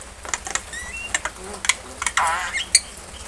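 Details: A pet common myna (shalik) mimics speech while its owner talks to it in Bengali, asking about rice, bathing and outings: a run of sharp clicks, short rising whistles and a warbling, voice-like phrase over about three seconds.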